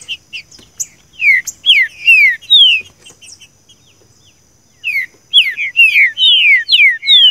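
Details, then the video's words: Green-winged saltator (trinca-ferro) singing the "seu chico" song type, used as a training recording: rich, loud whistled phrases of quick, slurred, falling notes in two bursts separated by a short pause. "trinca ferro canto seu chico"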